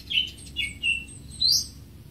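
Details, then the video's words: Greater green leafbird giving three short whistled phrases, the last sweeping sharply upward, against a quiet background. "Greater Green Leafbird (Bird Singing 74)"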